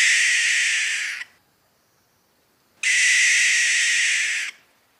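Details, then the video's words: Barn owl giving its alarm call: two long, harsh hissing screeches, each about a second and a half, separated by a pause of silence; broad noisy rasp with no other sounds. "Alarm call of barn owl"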